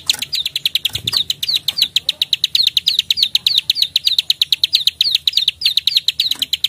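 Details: Plain prinia (prenjak sawah) giving its clicking 'klik-klik' call in a lively, combative mood: a fast, steady train of sharp dry clicks, about seven per second, each with a slight upward flick, with a soft low thump near the start.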